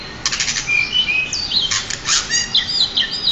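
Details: Champion pied bushchat serving as a master tutor: scratchy buzzing bursts alternate with clear, level whistled notes and quick twitters in a lively, uneven phrase.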